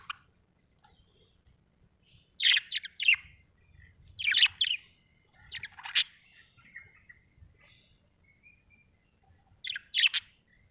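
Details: Budgie in a happy mood, chirping in short scratchy bursts: a group of buzzy chirps around two to three seconds, more around four to six seconds, then a final burst near ten seconds, with a faint low hum beneath.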